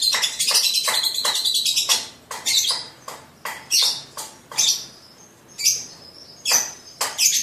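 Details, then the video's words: Young lovebird at the masteran stage singing ngekek: loud, high, harsh chattering bursts, repeated about once a second, with short gaps between. "Lovebird sibiru persib ngekek u4k5"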